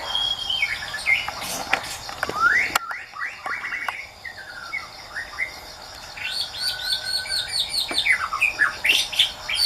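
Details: White-rumped shama in the wild with a melodious song: varied whistled phrases and upward sweeps, a short lull, then a fast run of repeated looping high notes.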